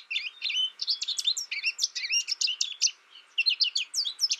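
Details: American goldfinch singing a lively jumble of high chips, rising slurs and thin twitters, almost continuous, with one short break near the end before the notes pick up again.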